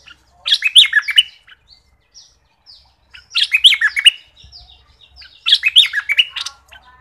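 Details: Southern Thai thick-billed flowerpecker on a lure recording: three rich chirping, warbling bursts come about 2.5 seconds apart, separated by quiet gaps with scattered thin high notes.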